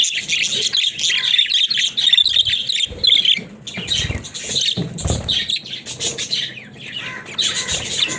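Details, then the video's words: Pet budgerigars, presented as talking budgies: lively scratchy warbling for the first few seconds, then sparser chirps mixed with low thumps and rustling, chatter picking up again at the end. "Funny Talking Budgies"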